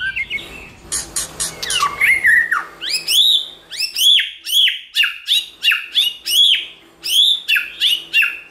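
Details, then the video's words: White-rumped shama song for provoking shamas to sing: opening harsh clicks and mixed whistles, then a steady series of loud upslurred whistles with sharp ticks, about two per second. "Kích Chòe lửa hót nhiều giọng"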